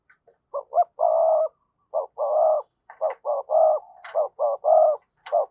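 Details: Decoy spotted dove cooing to call in wild doves: repeated groups of short hollow coos each ending in a longer throaty coo, several phrases in quick succession, with a few faint clicks.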